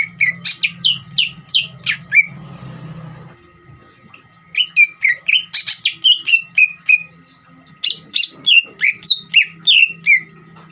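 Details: Greater green leafbird singing ngeriwik to draw other leafbirds into agitated, frequent song; fast bright chirps in bursts, about three per second, with a short pause and brief rustle, over a faint steady tone.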